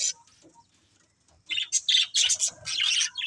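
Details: Budgerigars of a breeding pair: a quiet, nearly silent stretch after one early chirp, then a lively cluster of bright, buzzy high chirps in quick succession over the final second and a half.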